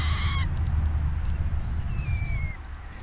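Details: Two baby rose-breasted grosbeaks in an outdoor cage in summer, being fed, give two clear whistled begging notes, a short steady one and then a longer, slightly falling one, over a steady low rumble.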